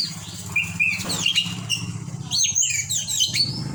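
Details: White-rumped shama singing sweetly: varied whistled notes and slurred rising and falling phrases, some sharp chirps, over a steady low hum.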